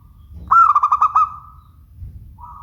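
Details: Zebra dove of a local strain giving a clear, rolling coo of about seven rapid pulses that trails off into a long, steady note. A softer coo begins just as the phrase ends.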